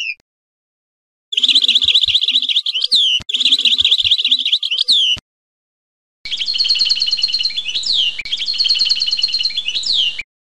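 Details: 'Sorties' song phrases of a European goldfinch: long runs of fast liquid twitters and chattering trills with sweeping slurred notes. A brief gap falls between bursts, then a second, slightly harsher stretch with faint low background noise.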